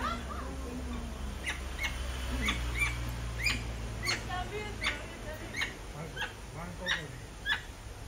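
Red-fronted macaw giving harsh, grating squawks, about one every half second to second, over a steady low hum and faint voices.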